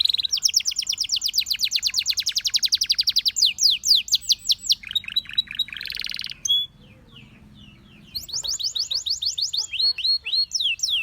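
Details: Canary singing a long rapid trill, then swept notes and a buzzy roll, a short gap of near silence, then another fast run of downswept repeated notes.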